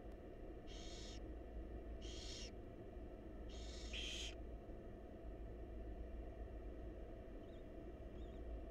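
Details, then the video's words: Hungry barn owl nestlings in a wild nest box as the mother feeds them. Four rough hisses in the first four seconds, the last a double, then only a low hum remains. "Barn Owl Mom Lovingly Feeding Her Adorable Babies"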